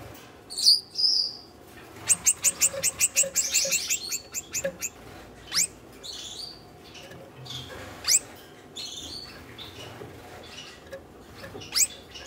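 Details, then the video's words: A red-headed Gouldian finch breeding pair courting in a cage: a quick series of about ten sharp high clicking notes, then scattered thin chirps and buzzy squeaks. "Red-headed Gouldian Finch courtship"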